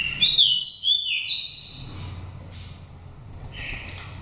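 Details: Oriental magpie-robin in pure wild voice, a nest-taken bird from Dak Lak, five seasons old. It sings bright, high whistled phrases that jump between pitches, with a sharp opening flourish and a brief later whistle over a soft low hum.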